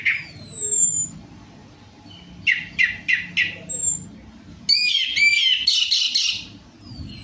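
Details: Orange-headed thrush singing in a lure recording meant to get a quiet bird to sing: high descending whistles, a run of four sharp, chopped notes about every half second, then a rich, warbling, varied phrase.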